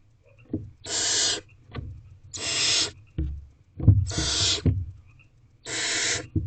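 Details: Four drawn-out, noisy hissing screeches from barn owls in a nest box, spaced about a second and a half apart, with knocks and shuffling between them, recorded at 8:16 pm as the male brings a rodent.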